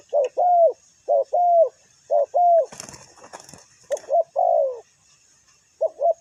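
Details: Spotted dove used as a ground decoy: paired hollow coos, then a burst of rustling and wing-flapping noise midway, before the cooing resumes with a long falling note.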